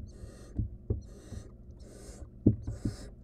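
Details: Wild barn owl nestling in a monitored nest box, trying to eat a stolen rodent alone; four faint, harsh hissing bursts over three seconds, with dull low knocks and thumps between them.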